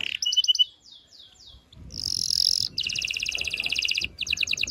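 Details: Canary song meant to stimulate males and females for mating: short whistled notes, then a quick run of downslurred sweeps, a sustained high buzzy note and fast rattling trills of repeated syllables.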